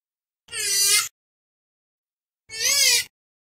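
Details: Two drawn-out nasal calls of a purple swamphen (kalim) sounded to attract birds for hunting. Each call is harmonic and slightly wavering, lasts about half a second, and is separated by two seconds of silence.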